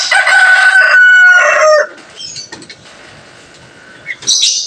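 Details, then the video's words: Male chicken crowing in the Jabodetabek area; the crow marks territory and attracts hens. A loud, harmonic, strained crow of nearly two seconds with a short break, then quiet with faint scattered sounds and a brief high noise at the end. "selanjutnya kita akan melihat hasil suara ayam yang didapatkan oleh masing-masing anggota kelompok kita"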